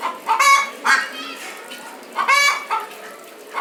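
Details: Chickens (cock and hen) in Saharanpur give short, harsh, nasal squawks in two quick pairs, a couple of seconds apart, over faint background noise.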